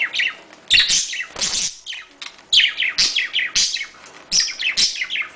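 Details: Pet budgerigars, a small Australian parrot kept indoors, chattering in a recording meant to stimulate breeding: bursts of high, scratchy, descending chirps and warbles repeated in quick clusters with short pauses.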